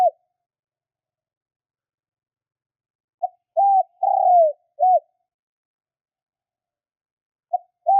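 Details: Spotted dove (cu gáy) calling to rouse wild doves: one full four-part cooing phrase of short note, flat coo, long descending coo and closing coo, then the start of the next phrase after a long pause.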